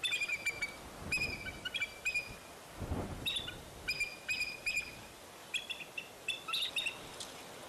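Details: Bald eagle at the Fraser Point nest on 10 April 2019, during the eaglets' fall from the nest and their return: repeated high, piping chitter notes with ringing overtones in short runs, with a dull thud partway through.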